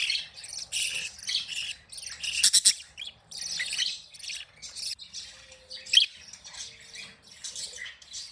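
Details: Several pet budgerigars, happy and playing, give a busy mix of short high chirps, squeaks and warbles in quick irregular bursts, with a few brief whistled notes near the middle.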